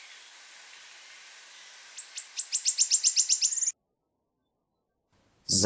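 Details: Wood warbler (Phylloscopus sibilatrix) joining the morning chorus in a sparse hornbeam forest, sometimes answering chaffinches: high ticking notes speed up and grow louder into a shivering trill over a steady hiss; a brief loud noise follows a pause.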